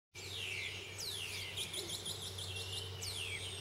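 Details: Spotless starling in Fortanete, June 2017, giving long, loud whistles that slide steeply downward, three in a few seconds, with softer chattering notes between and a low steady hum behind.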